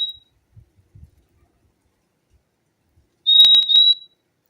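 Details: A brief fim-fim song: one faint whistle end at the start, then after a long pause a doubled high pure whistle accompanied by sharp clicks.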